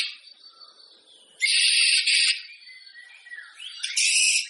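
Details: White-rumped shama singing, for warming up contest shamas: soft high whistles give way to loud harsh rasping phrases, a lower descending whistle, then another bright harsh burst.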